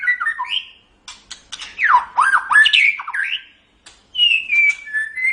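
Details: Song of a white-rumped shama, played as training material for pet shamas. Varied whistles swoop down and up between quick sharp clicks, ending with a steady high whistled note.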